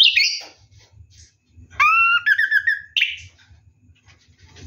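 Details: Orange-headed thrush singing ngeroll-style during a night bath: a short high phrase, a quiet gap with low thumps, then a bright ringing stacked whistle and a buzzy note before fading.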